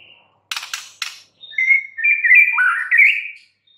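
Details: White-rumped shama song: three sharp, rasping clicks, then a continuous run of clear whistled notes that slide, waver and step upward at mid pitch before stopping abruptly.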